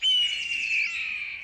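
A Red-tailed Hawk gives one long, hoarse, high scream that slurs slightly downward and fades over about a second and a half.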